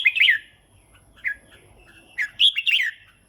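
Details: Red-whiskered bulbul singing: a loud bubbly opening phrase, a softer mid note, then after a gap two more bright, slurred warbling phrases.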